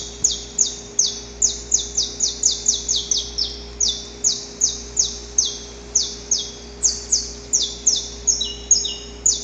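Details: Wild saffron finch male in a pre-dawn courtship song, recorded outdoors: long unbroken series of bright, high, descending chip notes, roughly three each second, crowding closer mid-phrase, with paired echoing notes near the end and a quiet steady hum underneath.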